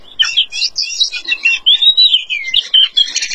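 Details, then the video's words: Oriental magpie-robin without feathers, singing loudly and steadily: jumbled high chirps give way to a long clear whistle gliding downward, then more quick twittering and bright notes. "Kacer Tanpa Bulu gacor"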